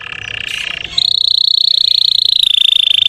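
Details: Russian canary lure song for rousing other canaries: a low, rough buzzy trill that jumps to a higher, very fast rolling trill, held evenly and dropping slightly in pitch near the end.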